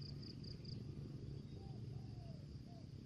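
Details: Lure spotted dove in the 'thổ dế' voice style: a phrase of three soft, mellow coos, the middle one long and slurred downward. A brief high insect chirping opens the phrase over constant low background rumble.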